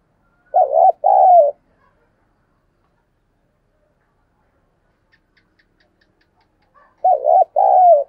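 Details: Spotted dove, a decoy bird, calling and cooing at dawn: two bursts of low, mellow coo notes, each a quick run of throaty syllables ending in a longer drawn note, separated by about six seconds of near silence.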